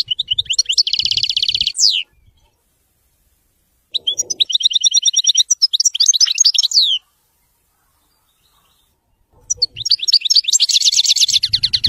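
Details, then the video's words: Widani-style goldfinch song in three separate bursts, each a bright, high twittering run with buzzy rapid trills, separated by short silences. "تغريد ويداني لطائر الحسون"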